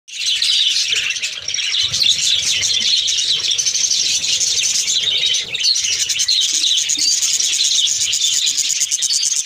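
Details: A flock of pet budgerigars at home on a winter night chatters nonstop in a dense wash of high, scratchy chirps and warbles.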